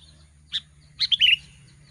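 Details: Sooty-headed bulbul, known locally as kutilang, singing as a lure call to draw in wild birds, recorded in Lubuklinggau: a short high note, then a quick run of bubbly, slurred whistled notes falling at the end, over a low hum.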